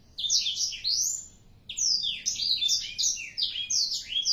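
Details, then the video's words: Four-month-old black-throated canary in full, energetic song: two fast phrases of sharp, high, warbling notes with rising and falling slurs, split by a brief pause. "blacksthroat umur 4 bln gaes udh gacorr abiss"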